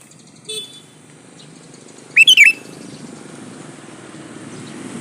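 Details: Sooty-headed bulbul male calling for a female, giving a single short, liquid, rising-and-falling whistled phrase over steady background hiss, with a faint higher note earlier.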